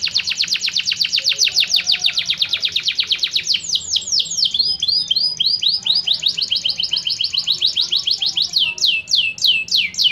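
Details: Canary (Serinus canaria) song for contest training: long runs of fast, descending high notes repeated several times per second, shifting into overlapping swept phrases and then slower downward slurs.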